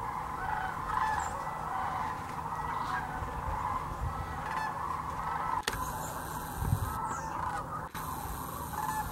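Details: Thousands of migrating sandhill cranes at the Hiwassee Wildlife Refuge, Birchwood, East Tennessee, filmed on a GoPro Hero 9 and Canon PowerShot: a dense, continuous chorus of rolling, trumpeting calls that overlap without pause, with an abrupt edit cut partway through.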